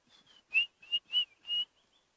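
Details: White-browed Scrub Robin starting its song in the background on a morning drive in South Africa, with nervous kudu nearby: a quick string of four clear, high whistles slurred slightly upward, about three per second, with softer notes.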